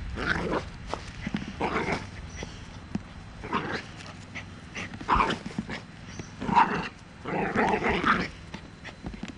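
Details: Sulphur-crested cockatoo barking like a dog: harsh, rough bark-like bursts, single or in short runs, spaced irregularly about every one to two seconds.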